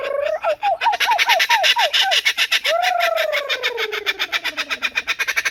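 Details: Trained captive Laughing Kookaburra on a handler's hand, warmed up and calling nonstop: a series of short rising-falling hooked hoots, then a loud cackling laugh with a long descending wail.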